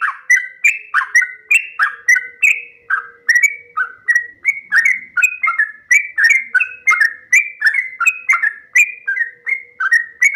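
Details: Sooty-headed bulbul singing the long 'ropel panjang' style, a master recording for training captive birds. Bubbly, slurred whistled notes come in quick rising and falling phrases, almost nonstop, over a faint steady hum.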